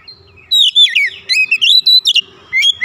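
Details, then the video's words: Provoked into song, an Oriental magpie-robin rattles off its fills. A quick cascade of sliding whistles and twittering notes stops briefly at points, over a faint steady low tone. "PANCINGAN cepat Kacer emosi bongkar isian"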